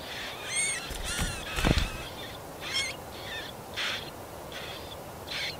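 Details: Marsh warbler feeding its chicks in shrub and nettle thickets in a Yekaterinburg forest park, 30 June 2020. Scattered short rasping calls and brief high chirps with gaps between them, plus a dull low thump midway.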